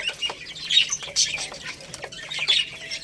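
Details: Lohmann Brown chicks, a growing rooster and baby hen, eating rice; a few bright, thin peeps and short chirps, with light clicking behind.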